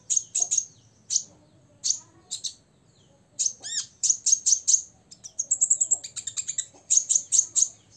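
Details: High-pitched song of a six-year-old olive-backed sunbird singing to anger rival birds: rapid bursts of sharp chirps, a brief rising-falling note near the middle, then thin sustained whistles and more quick chirping.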